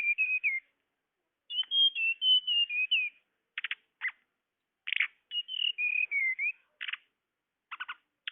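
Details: Tledekan luring sound: bright high whistled phrases of quick, slightly falling notes mixed with frequent short, harsh, buzzy bursts.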